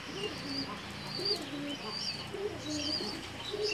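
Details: Several pigeons in Bangladesh giving soft, low, rolling coos that repeat about once a second, while thin high chirps from other small birds run steadily above them.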